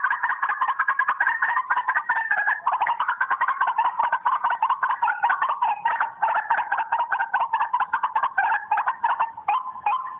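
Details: Phone playback of white-breasted waterhen calls used to attract birds: a continuous, loud run of harsh, clucking croaks, rapidly repeated and overlapping throughout, with no other clear sounds.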